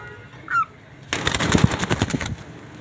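A cockatoo gives a short squeak, then a loud, harsh, rasping screech of rapid rattling pulses lasting about a second.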